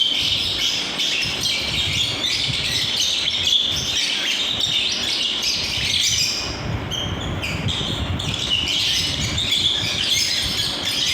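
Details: Flock of aviary lovebirds giving a steady wash of shrill chirps and occasional harsher squawks, overlapping calls from many birds, a brief dip in volume midway before the chatter swells again, low background rumble.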